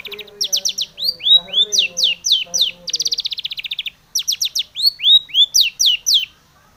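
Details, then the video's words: Long-tailed shrike singing a varied song to provoke other shrikes: rapid trilled runs of high downslurred notes, curved whistled slurs, and a fast buzzy rattle, with faint lower chirping behind. "SUARA cendet gacor ARECARE pancingan cendet agar bunyi EMOSI"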